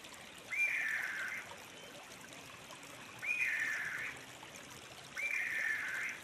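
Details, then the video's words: Sri Lanka frogmouth (Batrachostomus moniliger), a nocturnal forest bird, giving three hoarse, slightly rising then level churring calls, each under a second long, spaced about every two and a half seconds over a quiet hissing background. "Canto del Podargo de Ceilán"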